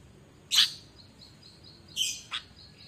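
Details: Energetic sooty-headed bulbul song used as a lure for training kept birds: two loud, bright, slurred chirps about a second and a half apart, separated by faint high whistled notes, plus a short extra chirp at the end.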